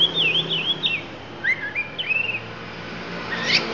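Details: Lampung oriental magpie-robin giving fill phrases: a run of wavering high whistles, then lower slurred whistled notes, ending with a rising sweep against a hissing background.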